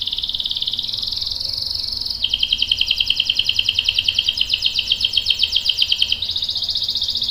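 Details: Canary singing long rolls for training young and adult canaries: continuous fast trills shifting between higher and lower pitch levels, pulsing steadily several times per second over light hiss.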